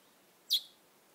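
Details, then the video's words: A single short, high chirp from a little wild bird sitting on a person's shoulder, clean against near silence. "Chirping Little Wild Bird"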